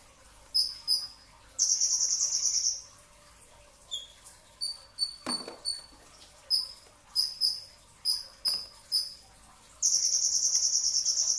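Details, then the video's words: Brown-throated sunbird recorded during pre-dawn sahur, alternating dense rapid high trills with runs of sharp piercing chips, plus a single sharp knock midway. "kicau konin dacok, kolibri ninja 2tak dada coklat full tembakan rapat"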